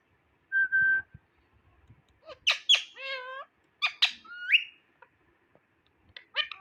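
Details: Ring-necked parakeet talking and imitating foreign-language words: a steady flat whistle, then a run of harsh raspy squawks and nasal, voice-like syllables with rising and falling pitch, ending in short clipped notes.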